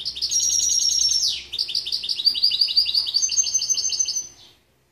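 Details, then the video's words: A goldfinch x canary mule from 2013 sings a sustained high trill, dips into a steep falling slur, then continues with quick, slightly buzzy repeated notes and another steady trill before falling silent. "Καρδερινοκαναρο 2013 goldfinch x canary mule"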